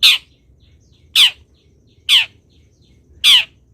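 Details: Long-tailed shrike master recording, played to train other birds to sing: four loud, harsh, rasping notes sliding downward, one roughly every second, with quiet gaps between.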